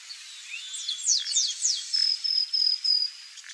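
Chestnut-capped blackbird song: a run of sharp, high, down-slurred notes followed by thin, buzzy, sustained whistles, over a faint background hiss.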